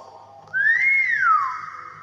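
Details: A common hill myna gives one whistled note that rises in a smooth arch and falls away into a lingering echo, after a quiet start with low room noise.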